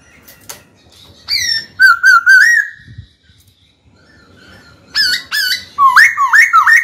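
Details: Captive white-cheeked laughingthrush in training, singing to challenge a rival. A bright run of short, wavering whistles pauses briefly, then returns as a dense, rapid series of ringing notes that dip and climb.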